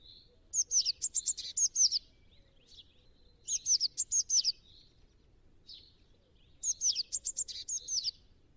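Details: Tit giving three bursts of quick, sharp, high notes, each about a second and a half long and roughly three seconds apart, over steady low background rumble.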